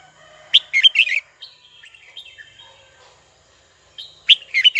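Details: Red-whiskered bulbul singing to call a rival: a cluster of loud, bright chirped notes, then a softer wavering whistled passage, and a second burst of sharp chirps near the end.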